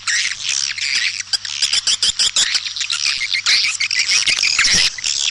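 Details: White-nest swiftlets, East Kalimantan, in a call used to draw birds into swiftlet houses: thick, unbroken twittering of high squeaky chirps, with a low hum beneath.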